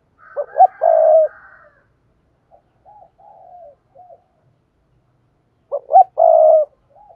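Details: Vigorous thúc gù cooing by a spotted dove, used to lure wild doves. Two hoots lead into a long coo, scattered soft notes follow, then after a silence the same hoot-hoot-coo phrase repeats.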